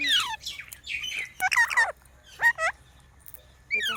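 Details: Green parrot giving buzzy chirps and short whistled notes that slide down and curl, delivered in uneven clusters with quiet gaps between them.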